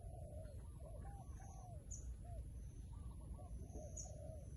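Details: Wild pigeon cooing in a rapid run of low, bowed notes, each rising then falling, repeated nearly continuously over a constant deep background rumble.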